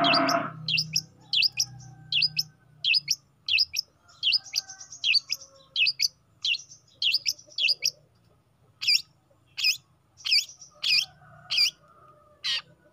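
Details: Young long-tailed shrike singing steadily: short, sharp, high scratchy notes repeated roughly every half second for the whole stretch. A brief louder sound is heard at the start. Low background hum.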